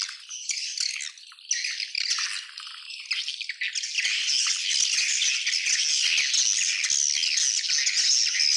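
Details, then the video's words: Massed twittering of a swiftlet colony, high-pitched and dense, starting somewhat uneven with brief lulls, then building into a steady, loud, continuous chorus of rapid chirps. "SUARA ASLI KOLONI WALET"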